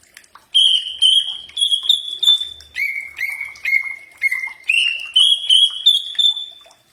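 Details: Common iora singing on a bird-training recording, a chain of pure upslurred whistles about twice a second that drops to a lower pitch midway, then climbs back to the higher notes.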